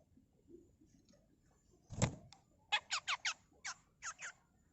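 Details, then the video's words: Female Grey-cheeked bulbul (cucak jenggot) giving a master tutor song in the harsh 'mbeset kasar' style: a dull knock, then seven quick rasping, buzzy bursts in an uneven run over about two seconds. "Masteran Burung CUCAK JENGGOT FULL MBESET KASAR || Cucak jenggot betina"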